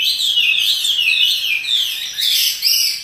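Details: Chinese hwamei, caged and described as a lively singer that dances, delivers long, loud, clear whistled notes sliding downward, then higher, sweeping phrases.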